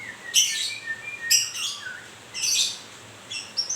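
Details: Moulting white-rumped shama (murai grewek) giving short harsh chattering bursts mixed with thin whistled slides, three rough phrases in quick succession with brief gaps between them.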